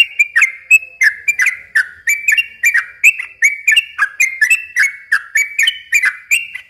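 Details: A lure song for young yellow-vented bulbuls: long, lively phrases of crisp, downslurred whistles, each note snapping in sharply, repeated rapidly and almost without pause.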